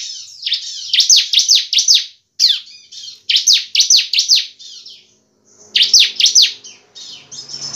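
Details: Gacor-style song of a bar-winged prinia, called ciblek semi cristal: fast series of piercing, downward-sweeping chip notes in several bursts, with brief pauses and a soft background rustle near the end.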